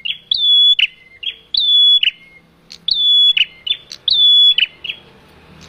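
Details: Lure call of a male bar-winged prinia for trapping. Loud repeated phrases about every 1.2 seconds: a brief note, then a high, level whistle that breaks into rasping chips, with a lower slurred tail. Quiet background otherwise.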